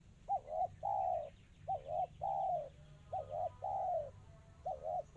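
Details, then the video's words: Spotted dove singing in the fast, tightly packed 'kristal' style: low hooting coos, each phrase a quick double note followed by a longer falling coo, repeated about every second and a half over a low background hum. "Suara burung tekukur kristal rapat cepat"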